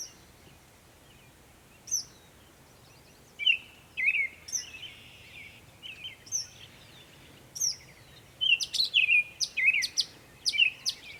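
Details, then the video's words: Northern mockingbird in Savannah, New York on 23 May 2021, giving spaced sharp downslurred notes, some scratchy phrases, then a quicker cluster of loud clicky, squeaky notes near the end. "Northern mockingbird Mimus polygottos video, making many sounds"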